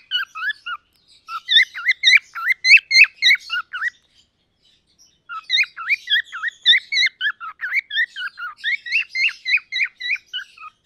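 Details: Two young cockatiels, a lutino and a female pearl, chatter in quick runs of bright, chirpy whistled notes, some rising and some falling.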